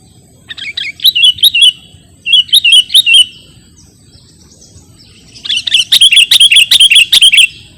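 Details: Sooty-headed bulbul (kutilang) song meant as a lure and tutor recording: two short bursts of quick bubbly chirps, a pause of about two seconds, then a longer, denser run of rapid whistled notes.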